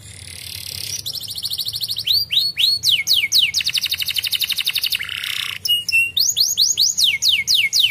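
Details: Singing canary played to get reluctant canaries singing: alternating fast trills, slurred rising whistles and a lower buzzy roll, notes repeated about four per second, loud and clean.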